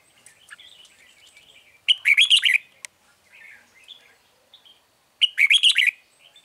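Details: Trapping scene with a red-whiskered bulbul lure bird: two loud rapid warbled phrases about three seconds apart, softer twittering between, faint background chatter.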